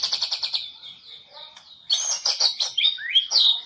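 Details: White-rumped shama of the Medan type, a national champion competition bird from the 2018 President Cup event, singing a varied high song: a rapid run of repeated notes, then loud whistled phrases with rising and falling sweeps.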